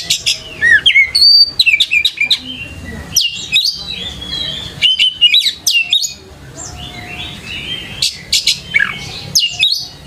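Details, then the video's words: Oriental magpie-robin singing vigorously on a lure recording for young birds: fast bursts of sharp clicking notes mixed with slurred, curling whistles, in phrases separated by brief pauses. "PANCINGAN KACER GACOR COCOK UNTUK PANCINGAN KACER MUDA UNTUK BELAJAR BUNYI DAN CEPAT IKUT GACOR"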